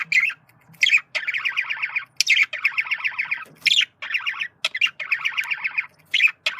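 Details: Male budgerigar communication sound: long buzzy pulsed warble phrases alternating with sharp bright chirps, repeated steadily, indoors.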